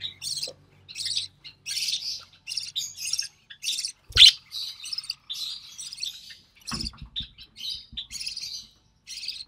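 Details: Recessive pied budgerigar chick hatched in June 2020, fed by its mother: dense run of harsh, chattering rasps with one sharp loud click in the middle and faint low thumps.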